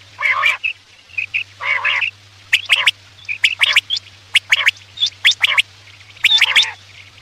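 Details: Night hunting lure of quail: hoarse, squawking bursts alternate with quick high double and triple notes, about one a second, above a faint continuous hum.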